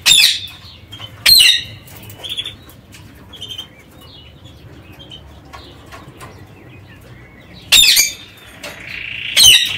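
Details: Aviary parakeets calling: loud rough screeches at the start and near the end, with quieter short chirps and brief whistled notes scattered through a calm middle stretch.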